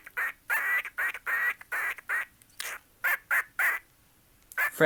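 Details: A two-year-old male cockatiel chatters in rhythmic, speech-like bursts, rapping his own name and imitating human words in a scratchy, nasal voice.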